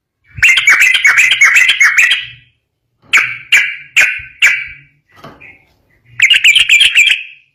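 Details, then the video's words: Yellow-vented bulbul master recording in 'ropel' style: a fast, harsh chattering run, a pause, four separate sharp notes, a faint note, then another quick chattering burst, with a faint low hum underneath. "Masteran burung trucukan gacor ropel bikin nyaut"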